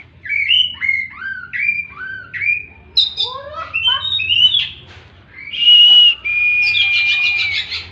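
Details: Oriental magpie-robin song played as a training recording for kept birds: a series of bright rising and falling whistled phrases repeated about twice a second, followed by sharper chattering notes and long, steady, high whistles near the end.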